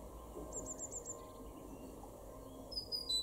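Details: Great tit in a garden in Weener, East Frisia, far northwest Germany, April 2021: a quick run of five high, thin, evenly spaced notes, followed by fainter lower notes and a brief chirp from another bird near the end.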